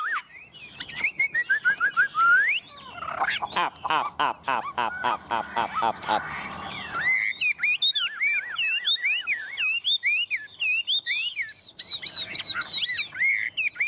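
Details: A captive Chinese hwamei sings loudly while its cage is hand-held and shaken: a falling run of whistles, then a burst of fast, harsh repeated notes, then varied, rich whistled phrases that rise and fall; described as tame and singing anywhere.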